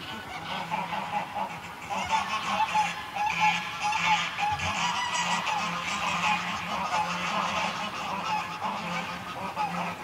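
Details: Small flock of greylag geese recorded close during flight, later calling on the ground: dense, overlapping nasal honks from several birds, harmonic and steady in pitch, repeated rapidly and almost continuously with no clear pauses.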